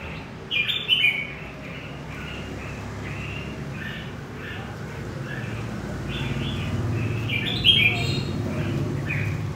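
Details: Wild-caught red-whiskered bulbul from central Vietnam singing short warbled, slurred phrases, some pairs of quick notes, scattered through the clip over a steady low hum of background noise.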